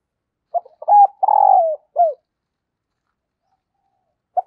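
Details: Wild birds lured by a decoy spotted dove's coo: short stuttering notes, a level coo, a long rolling downward coo and a quick falling note, followed by silence until the next phrase begins.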